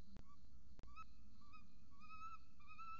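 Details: Peregrine falcon chick and its mother at a nest in Orange, Australia, captured by a nest camera: drawn-out whining tonal notes, each rising slightly, several in a row over steady low hum with a few sharp clicks.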